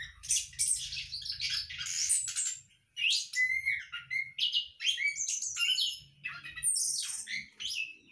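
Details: Captive-bred orange-headed thrush in a hanging breeding cage. A busy, nearly continuous string of high chirps, thin whistles and quick slurred notes, broken by one short pause near the middle, over a soft low rumble.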